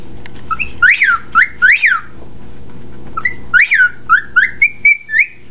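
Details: Pet bird whistling indoors, giving repeated wolf whistles, each a sharp rising sweep that falls away, in short bursts, with a steady electrical hum behind.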